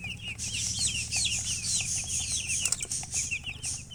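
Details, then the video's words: Loud, continuous chirping of baby chickens, many shrill downslurred peeps overlapping in quick succession with a hissy high background and low hum. "Baby "Chicks Chirping" Sound"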